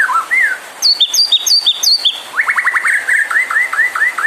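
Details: ['White-rumped shama song meant to provoke other birds into singing: a brief downslurred whistle, then quick high sharp notes, then a run of fast upswept notes and repeated downcurved whistles.']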